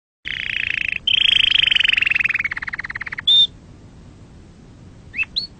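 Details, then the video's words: Canary song, described as pure, original and error-free and played for young canaries to learn from: long rolling trills near mid-high pitch, one sliding gradually lower, then a brief pure whistle and a few short rising notes after a pause. "أحسن تغريد أصلي صافي و خالي من الأخطاء لتسميع فراخ الكناري ecolage du oiseaux cannaris la voix"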